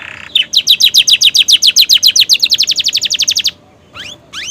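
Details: Romeo canary in fresh plumage, song filled with prenjak and ciblek imitations: a loud rapid trill of high chirps speeding up over three seconds, then two rising whistled sweeps after a pause.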